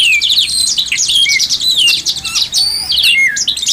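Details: Kacer, the oriental magpie-robin, in dense continuous song for training other birds: high twittering trills woven with descending whistled slurs, barely pausing.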